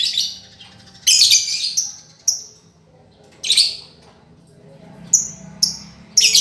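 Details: Lovebird song used as a master recording to teach a lovebird that stopped singing: loud, high chattering bursts with buzzy trills and short whistled notes, spaced by pauses of about a second.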